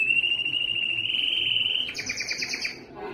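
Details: Yellow canary singing: a long fast trill held near one pitch, then jumping to a higher, buzzier rattling phrase with a lower echo, ending in softer notes.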